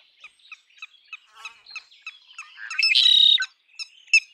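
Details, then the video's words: Red-winged blackbird song: a string of quick chipping notes leading into a loud, rasping, buzzy trill of about half a second, followed by more chips. "Red winged blackbird Sound"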